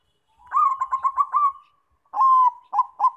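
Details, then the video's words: Zebra dove singing, used to lure other doves into song: a quick series of bubbling coos fading into a long tone, then a strong drawn-out coo and two short notes. "PANCINGAN BUNYI PERKUTUT BANGKOK"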